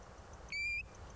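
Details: A European golden plover, a British breeding bird of hills and uplands in spring, gives its single drawn-out, plaintive 'pee-you' whistle, held about a third of a second with a slight upward lift, over a soft low rumble of wind.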